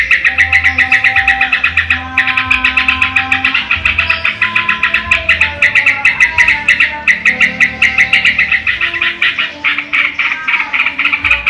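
Yellow-vented Bulbul song: busy, rapid bubbling chatter of bright notes, almost continuous, with low steady musical tones running underneath.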